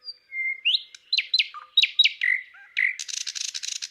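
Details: Thrush nightingale song recorded in Palupõhja, Estonia: a drawn-out whistle leads into a fast jumble of chirps and slurred notes, ending in a harsh, buzzy, rattling burst.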